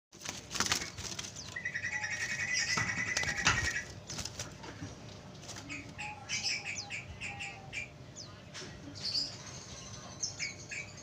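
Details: Sooty-headed bulbul song played to lure wild bulbuls: a rapid bubbling run of mid-pitched notes near the start, then scattered high chirps and twitters from other birds, with wing flutters and steady background hiss.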